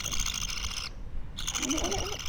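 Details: Two raspy, buzzing bursts from a two-week-old pet budgerigar are split by a short silence. Faint low murmuring sounds under the second burst.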